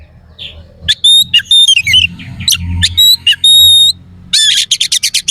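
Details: Oriental magpie-robin belting out harsh fill phrases meant to rile other magpie-robins: ringing pure whistles alternating with twisting slurred notes, ending in a rapid burst of rough rattling trills over a faint low hum.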